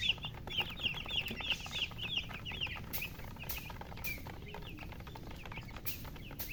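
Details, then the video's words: Chicks cheeping loudly at first, clusters of high downward-slurred peeps, then thinning to sparser calls, interrupted by several sharp clicking or tapping sounds. "Witty MURGI Baby "Chicks Chirping" Sound"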